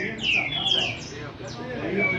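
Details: Double-collared seedeater from Rio de Janeiro in his first baderna, here a shorter stretch: a few clear downslurred whistles and quick chips, with gaps between notes.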